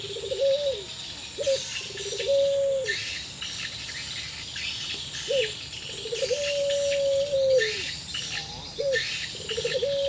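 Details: Barbary dove of the pelung type, possibly in breeding condition, calling back and forth for a long time: a series of clear, level, whistled coos, some long and drawn out, others short and upturned. Chirping birds and insects sound in the background.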